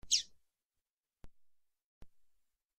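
A single thin, high, downslurred chirp from a female Double-collared Seedeater, followed by two faint clicks and silence.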